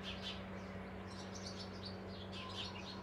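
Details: A Eurasian tree sparrow at its spacious nest hole on 12 May gives quick bright chirps in rapid bursts, with a constant low hum underneath.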